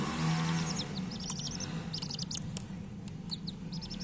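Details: Coloured chicken chicks giving thin, high chirps in scattered bursts over a loud, steady low engine-like drone from a heavy bike nearby.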